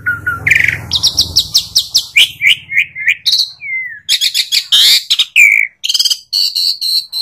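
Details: Asian pied starling song: a rapid medley of loud whistled notes, clicks and buzzy rattles, with sliding whistles and harsh chattering bursts following one another without pause; a faint low hum runs underneath.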